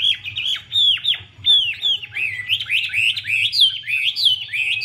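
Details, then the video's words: Female hwamei fanning and dancing to spur the male: bold downslurred whistles repeated about twice a second, shifting into quick rising and falling phrases, all bright and clear above a faint low hum. "Họa mi mái múa xòe thúc trống nhanh lên lửa"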